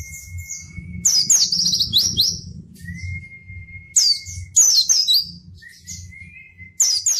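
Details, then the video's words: Hard-singing pleci white-eye used as a training master for reluctant singers. Sharp, fast descending trills break between long even whistles, with a continuous low rumbling hum in the background. "burung pleci gacor!!! efektif untuk pancingan dan masteran pleci yang malas bunyi"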